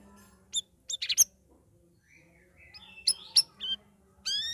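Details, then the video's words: Caged sooty-headed bulbul singing in a chattering, loud open style after three weeks of group training among other birds. Scattered sharp chirps, then a run of whistled and buzzy notes rising and falling, ending in a bright rising phrase. "CUCAK RAWIS NGERIWIK NGEPLONG"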